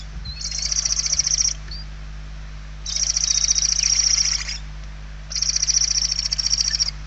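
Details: Barn owl nestlings begging for food inside their nest in Spain, late November 2023: three drawn-out, harsh, hissing screeches, each over a second long, with short pauses between them and a low background hum.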